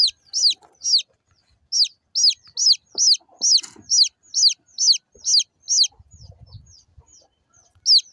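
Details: Small chicks of local chicken peep in a quick, shrill series of descending notes, then fall quiet amid low rumbling before one last chirp.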